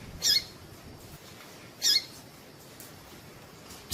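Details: Female double-collared seedeater call to make males sing: slightly longer high chirps about one and a half seconds apart, a third starting at the very end, with soft hiss behind.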